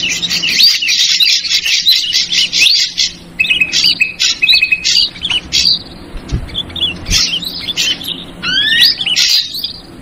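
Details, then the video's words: Lure call for ashy drongo in the trucukan ribut style: a thick run of buzzy twittering, then gaps with short chips and separate rising whistled slurs near the end. "Suara Pikat Burung Srigunting versi Trucukan Ribut"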